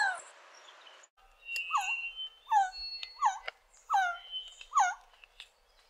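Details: Resplendent quetzal calling: a series of short, hoarse, downslurred notes with rich overtones, five in a row about once per second, after a brief burst of hiss at the start.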